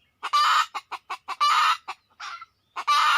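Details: Red junglefowl responding during decoy hunting: a dense run of loud, raspy squawks alternating with sharp, evenly spaced clucks over a few seconds.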